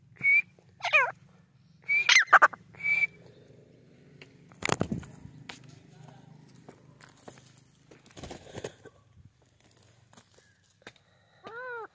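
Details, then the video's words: White francolin gives short, shrill whistled notes and quick downward-slurred chirps in scattered bursts, with a couple of loud knocks or clatters in between. "white teetar voice white francolin sound teetar ki awaz"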